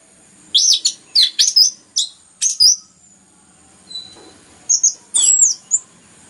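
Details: Loud, tightly packed song of an orange-headed thrush, played to encourage other birds to sing. Several quick high swooping notes in a row, a soft short whistle, then another cluster of sharp rising and falling notes.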